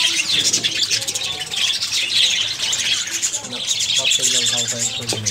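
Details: Budgerigars in a breeding colony, many birds chattering at once: dense, continuous high chirps, squeaks and warbling twitters overlapping without pause, with a few soft low knocks beneath.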